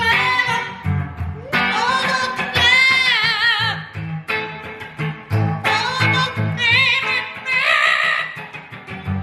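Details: A pet Amazon parrot sings along to guitar music in warbling, vibrato-laden phrases that rise and fall over strummed chords; he seems to need a particular woman nearby before he will sing.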